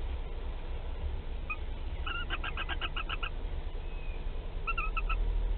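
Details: Laying its first egg in a nest box at Théding, France, 15 March 2021, a Western barn owl gives a brisk series of about eight clipped chirps, a pause, then a shorter burst of four, above low mechanical hum.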